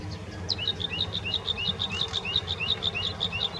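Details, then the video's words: Bluethroat at the Offstein settling ponds repeating a rhythmic two-note phrase, a high note followed by a lower rising slur, many times over in a steady pattern. "Blaukehlchen singt"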